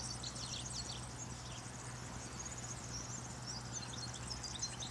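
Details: European goldfinch singing in the morning, around eleven o'clock, repeating a phrase: quick high twittering and tinkling notes in loose bursts throughout, over a steady low hum and faint background noise.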